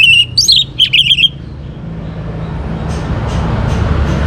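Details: Orange-headed thrush, a young bird singing actively to prompt other birds to sing: just over a second of rapid, varied whistled notes with squeaky high overtones, then only a continuous low rumble of traffic.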